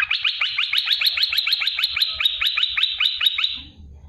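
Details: Olive-winged bulbul (merbah belukar or cucak lumut) delivering a 'tembakan pedas' burst for training caged songbirds: one long run of quick, evenly spaced bubbling notes, some twenty in a row, ending abruptly.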